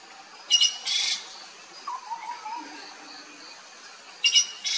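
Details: Sri Lanka blue magpie with paired grating calls, each a short rasp then a longer harsh screech. The pair comes once at the start and again about 3.5 seconds later, with faint lower sounds between.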